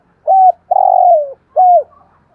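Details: Spotted dove used as a decoy to prompt wild doves: one clear phrase of a level hollow coo, a long rolling coo that slowly slides downward, and a last coo that rises then drops.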